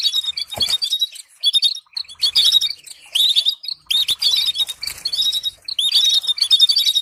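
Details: Stimulating canary song for training birds to sing, heard as dense runs of bright chirps and rapid trilled notes in phrases of about a second, each followed by a brief gap.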